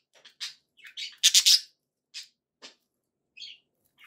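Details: Pet budgerigar giving scattered short chirps and one louder scratchy squawk burst, separated by silence, played to keep pet birds company.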